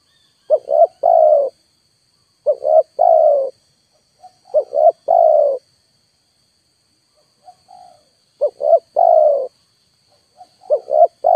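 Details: Lure call of a spotted dove, played loudly to draw down wild birds that are not coming. A three-note phrase, two quick coos then a drawn-out descending one, repeats five times with soft short notes between.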